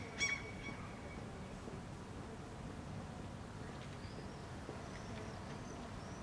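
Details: Common gull (Larus canus), one of two birds calling back and forth in Helsinki, Finland, in June 2013, gives one sharp, high, nasal cry, then fainter thin mewing calls as the birds move closer together; steady low wind rumble.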